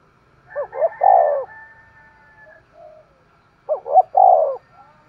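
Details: Spotted dove decoy bird repeating its coo phrase twice: a rising double note then a long loud falling coo, with faint drawn whistling tones and soft low coos between.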